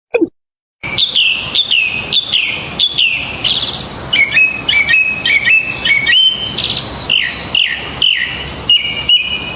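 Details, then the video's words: Birds chirping in a natural outdoor scene: a dense run of bright, high, clear chirps and short whistled notes, some rising and some falling, following one another rapidly after a brief silent opening. "Amazing Birds Chirping Sounds"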